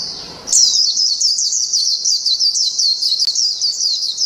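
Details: A white-eye (Zosterops) from Thailand, a good singer, gives a continuous, rapid, high, jumbled twittering warble without pause for about four seconds.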